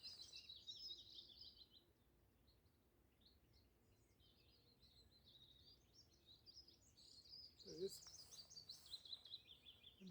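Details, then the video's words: Willow warbler singing in trees at dawn at East Dartmoor National Nature Reserve, Dartmoor, in spring: soft, sweet phrases sliding down the scale like a musical waterfall, with a man's voice and a brief bump near the end. "I've just come back to the car I can just hear willow warbler calling in the trees."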